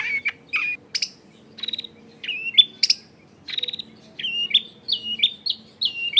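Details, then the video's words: Lure song of a long-tailed shrike, used to provoke rival shrikes into answering, taped in a busy residential area: scattered sharp chirps and clipped whistles, then a steady series of falling slurred notes repeated about twice a second, faint background hum. "SUARA CENDET GACOR PIKAT AMPUH BIKIN BURUNG CENDET LAIN LANGSUNG ON DENGAN MUDAH NYAUT GACOR DOR"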